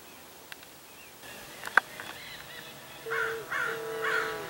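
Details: Common Raven, Paramount Ranch, Santa Monica Mountains, California, 30 January 2021: three harsh, rasping, mean-sounding croaks about half a second apart, after a sharp click, over faint background noise.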